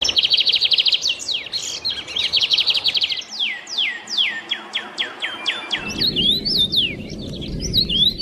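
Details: Birds chirping busily in the morning, with rapid high trills and sweeping downslurred whistles, then jumbled twittering; a low background rumble enters near the end.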